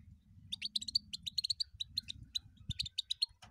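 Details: Short goldfinch phrase: rapid, high tinkling chirps strung together almost without pause, over a steady low background rumble with one dull thump.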